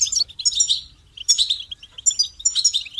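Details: Goldfinch pouring out loud, rapid, jingling twitters in three energetic phrases, with bright high notes mixed with buzzy trills.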